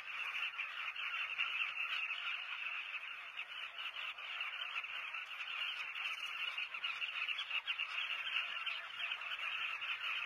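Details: Southern carmine bee-eaters at a breeding colony in South Luangwa National Park, Zambia, recorded from a hide: a dense, continuous chorus of many overlapping rolling calls, steady throughout with no pauses.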